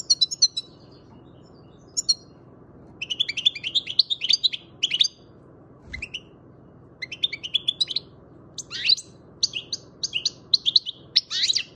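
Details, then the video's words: Young European goldfinch, seven months old, from Macedonia, singing a fast run of bright twittering phrases with buzzy trills and sharp high chirps in bursts, short pauses between groups, over a faint low background hum. "Goldfinch Trnance 7 month young bird best song"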